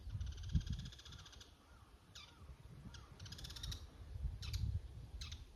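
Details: Bull-headed shrike giving its high-pitched autumn territorial call at dawn, around 5:30, in Showa no Mori, Chiba City, Japan. Shrill, harsh, strongly harmonic squeals come in short bursts, some drawn out and some clipped, over low rumbling background noise.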